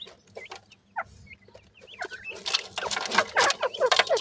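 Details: Grey francolin chicks giving short, thin, rising peeps around the mid range, scattered at first, then overtaken by louder rough, broadband scratchy bursts in the second half.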